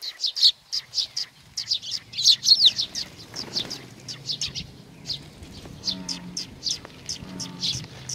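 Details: Several sparrows coming to be fed at Tenmangu, Nakanoshima, on 21 June 2020, giving dense bursts of short, high, sharp chirps, sometimes several per second, loudest in the first three seconds, with a low background hum throughout.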